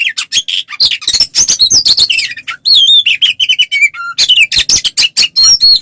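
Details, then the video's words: Oriental magpie-robin in a loud, continuous fighting song, meant to provoke other males into answering: a rapid, varied stream of whistles, trills, harsh chatters and high sweeping notes, dense and barely pausing. "SUARA BURUNG kacer gacor NGEPLONG TARUNG ini paling AMPUH buat PANCINGAN KACER agar EMOSI NYAUT"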